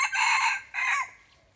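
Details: Red junglefowl lured with a decoy bird gives a loud, harsh, ringing crow in two bursts. A first long note is followed by a shorter second note that trails off quickly. The background is quiet.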